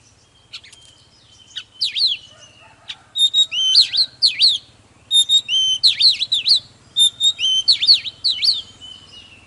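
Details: Stirring Oriental magpie-robin song meant to rouse other birds: after a few soft notes, repeated phrases of a pure whistle followed by swooping V-shaped slurs, each phrase about a second long, with a low hum beneath.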